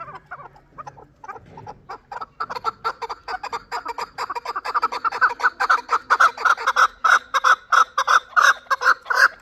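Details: Chukar partridge from Shurobod, a young bird hatched last year, giving rapid repeated chuck notes that start softly and build into a loud, steady rattling series, several per second, with low rumbling at the start.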